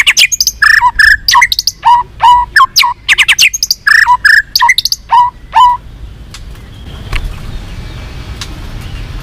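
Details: White-rumped shama in many-voiced fighting song: fast, loud chattering phrases of mixed whistles and clicks for about six seconds, then quiet with faint background noise.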